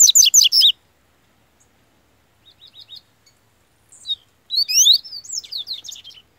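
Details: A captive yellow-bellied seedeater in top form sings loud, high, rapid phrases of sweeping whistled notes, then a soft quick trill and a longer, varied burst of slurred chirps.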